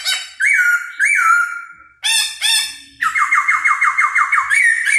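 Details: While dancing, a laughingthrush gives two long slurred whistles and two harsh bursts, then a fast run of about a dozen repeated whistled notes.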